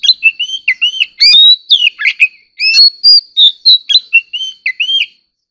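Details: Ornamental White-rumped shama singing competitively: rapid chips mixed with full whistled slurs and quick warbled notes in a fast, varied stream lasting about five seconds, then silence, with a steady high tone behind.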